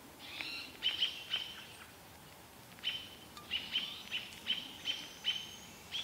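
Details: American robins mobbing an adult barred owl in the Vancouver area: after a hesitant start, a regular train of sharp, high chips about every half second, over light ambient hiss.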